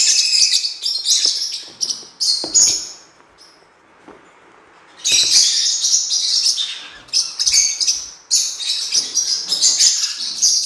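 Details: Song of a blue-winged parrotlet used for training: shrill twittering bursts, a two-second pause, then long dense runs of high buzzy chirps.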